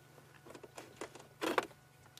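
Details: Babblers alarm-calling in the bush at sunset on 28 April during a safari drive while a leopard is tracked nearby: harsh, rasping chatter in short bursts building to a louder churring outburst, over a steady low engine hum.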